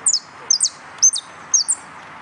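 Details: Canary at a singing competition: high, thin chirps repeated about twice a second, each a bright note followed by a quick downward-sweeping one, clean and loud against a quiet background hum.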